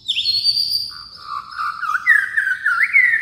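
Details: White-rumped shama singing a long high whistle that drops into a lower, gurgling run of warbled, rising and falling notes, loud and continuous.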